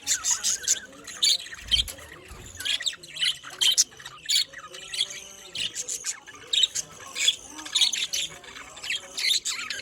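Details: Budgerigars kept as colourful pet birds, a small colony chirping together: dense overlapping high chirps and warbles, rapid and continuous, with occasional squawks.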